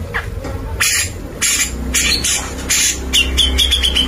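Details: Grey-cheeked bulbul singing energetically, a recording used to train white-rumped shamas: repeated harsh, rasping bursts give way to a fast series of sharp whistled notes, with a constant low hum underneath.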